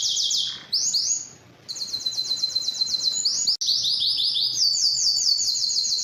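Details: Quick runs of high, rising whistled notes from a singing yellow canary, broken by short pauses, one brief abrupt cut midway.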